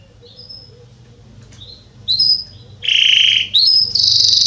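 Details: Belgian canary of the Salsa line, noted as a tutor for young singers, giving scattered thin whistles followed by louder buzzy held notes at varying pitches.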